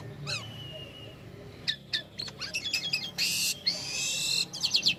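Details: Black-winged starling singing energetically, recorded as a lure for other songbirds: slurred whistles and a held whistled note, then rapid clicking chirps, loud harsh hissing rasps and fast trilled whistles at the end.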